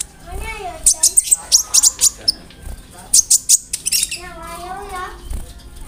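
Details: Tutor song of a konin filled with imitations of cricket and other birds; rapid runs of very high chirps broken by softer warbled whistles and brief gaps.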